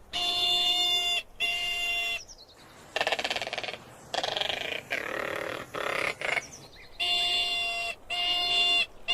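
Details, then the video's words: A Crested Caracara gives harsh, grating rattles and scratchy bursts, bracketed by steady nasal squealing notes about a second long. "SOUND OF A CRESTED CARACARA 🔊 What does a crested caracara sound"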